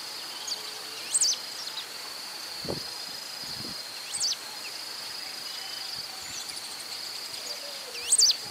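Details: Pale-throated pampa-finch (Embernagra longicauda) recorded in Rio Acima, Minas Gerais, Brazil, giving three brief, high, twisting song phrases about three seconds apart, over a steady shrill insect drone and a few soft thumps.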